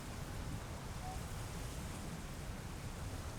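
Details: Steady broadband rushing noise, like wind or surf, fills the recording with no animal voice heard.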